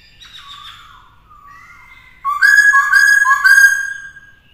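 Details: Black-throated laughingthrush (khướu bạc má) song for training a young bird, stirred up to sing fiercely. Soft descending whistles and a level note give way to loud, rich, rapidly repeated rising whistled phrases.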